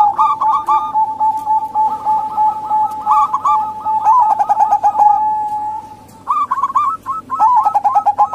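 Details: Local female zebra dove calling, used to lure male doves that rarely sing or to attract wild doves; a sustained, fluttering coo with rapid trilled bursts, pausing briefly before resuming, with faint clicks in the background.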